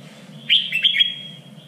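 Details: Contest-style red-whiskered bulbul song for training birds, described as the standard three-region voice: a single bright whistled burst of warbling notes, abrupt and brief, with a constant low electrical hum behind it.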